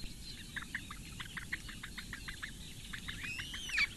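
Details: Begging from four Eurasian bittern nestlings fed by their mother at a webcam nest in Latvian lakeside reeds, Lake Engure, morning of 15 May 2017; quick series of short chirps, then a thin rising whistle near the end.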